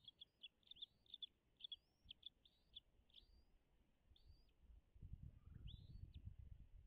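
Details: Wild American bald eagles nesting on Dale Hollow Lake, Kentucky-Tennessee state line, 10:58 in 2022: a rapid run of high, squeaky chitters and upslurred whistles, then sparser notes as low rumbling noise rises.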